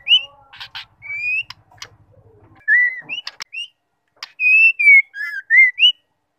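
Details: A female white-rumped shama whistles to spur males into singing: an upslurred note, harsh clicks, a soft low rattle, then rising whistles and a closing run of level, falling and upswept notes.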